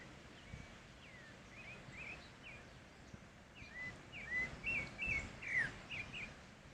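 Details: Pale-breasted thrush (Turdus leucomelas) singing in the wild: soft, scattered whistled notes that grow into a louder, closer series of twisting, clear whistles repeated about twice a second near the end.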